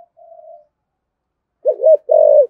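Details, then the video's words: Spotted dove in throaty thúc gù style used to provoke other doves: a soft low hum, a pause, then a loud double-peaked coo and a longer steady coo. "cu gáy giọng thổ thúc gù dùng kích bổi, bổi nghe rất nhại gáy"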